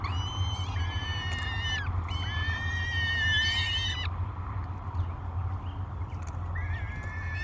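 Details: Three hungry peregrine falcon chicks at Great Spirit Bluff during a morning feeding in May, giving harsh, wavering begging wails that rise and fall in long drawn-out bouts, with steady low wind rumble underneath.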